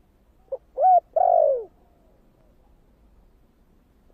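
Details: Spotted dove giving one 'thổ' style coo meant to stir up wild doves: short low note, a clear coo, a long descending coo, then a pause before a new phrase starts right at the end.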